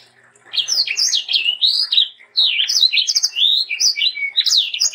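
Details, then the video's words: Sanger bird singing energetically to tutor young sangers: a dense, unbroken chain of whistled slurs and chirps that zigzag quickly in pitch, with only one brief pause midway. "BURUNG sanger gacor untuk masteran dan pancingan sanger muda"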